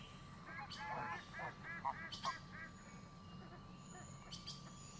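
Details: Geese by a lake calling in a rapid run of short, nasal honks that fade after a couple of seconds, with thin high bird chirps and a constant low background hum.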